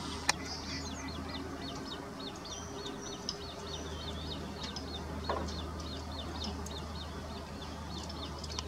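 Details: A juvenile little grebe at Chiemsee's Hirschauer Bucht gives thin, high peeping notes in a quick, steady series, several each second, over a constant low hum.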